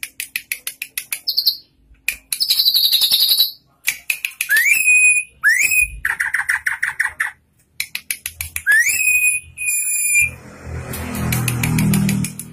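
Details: Tame drongo singing actively with many learned phrases: varied whistles, rapid chattering trills, buzzy high notes and upslurred whistled calls in quick succession, ending in a noisy rustling burst.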